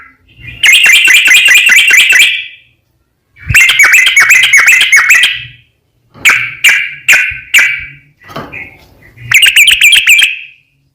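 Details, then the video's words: Yellow-vented bulbul in energetic long rapid 'ropel panjang' song, used as a lure for other bulbuls: four dense bursts of fast, sharp chirping notes, separated by short silences, with a few isolated louder notes. "SUARA trucukan gacor ROPEL PANJANG pancingan trucukan agar bunyi burung trucuk gacor NYAUT"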